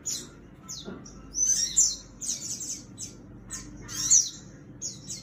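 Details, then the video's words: Fighting sooty-headed bulbul giving scattered high, sharp chirps and quick downward-sweeping notes in short clusters, with quiet gaps between them and a brief low thump near the start. "Sogon gacor tarung"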